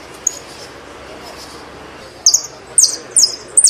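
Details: Saffron finch, Argentine form: after a quiet stretch with one faint chip, four loud, high, buzzy slurred notes follow in quick succession.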